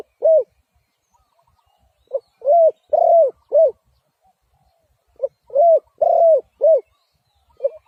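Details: Spotted dove calling with phrases of three or four mellow coos: a short pickup note, then longer arched notes. The phrases repeat roughly every three seconds with silence between them.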